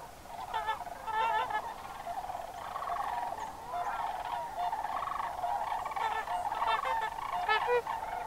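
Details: A crowd of sandhill cranes, among over 10,000 at peak during October autumn migration at a sedge wetland in northwest Wisconsin, calls together in rolling, trumpeting rattles overlapping into a steady chorus, with louder bursts standing out.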